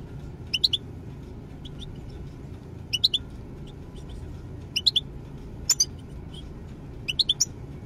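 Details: European goldfinch: brief bursts of high, tinkling twitter notes in short clusters every one to two seconds, with quiet pauses between and a soft low background rumble.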